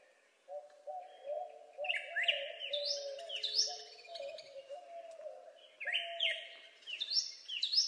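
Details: Northern cardinal gives clear downslurred whistles in paired bursts over several seconds, each sliding sharply from high to lower pitch. A steady low hooting or humming tone runs underneath throughout.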